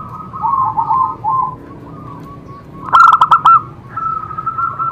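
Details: Zebra dove song used to stimulate other doves: wavering mid-pitched cooing tones, then one loud burst of rapid, clipped coo notes near the middle before a steady tone resumes, with faint low background noise.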